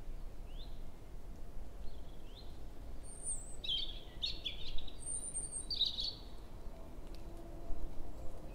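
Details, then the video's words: European robin singing in early May at 7 in the morning in woodland at Hoher Peißenberg, Germany, a female nearby; short high thin whistled phrases and trills scattered over several seconds, with low background rumble. "Rotkehlchen (4) - Gesang im Mai"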